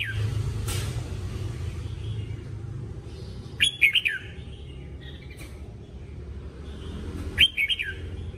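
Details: Red-whiskered bulbul training song: two short, sharp, whistled phrases of quick up-and-down notes, about four seconds apart, over steady low rumbling noise.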